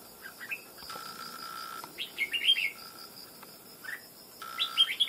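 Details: Recently trapped wild red-whiskered bulbul, a stubborn bird taken after almost two months, singing with a ringing voice; scattered short upslurred whistles and a richer warbled burst mid-way, over a constant low tone.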